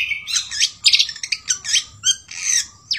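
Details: Long-tailed shrike with sooty-headed bulbul song, heard in a short burst of squeaky, grating chatter and twisted notes over a low background hum.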